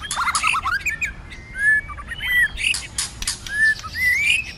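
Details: A White-rumped shama in fighting song during cold weather, singing in many voices. Long drawn whistles and short rising slurs are mixed with scratchy chatter and noisy bursts early on.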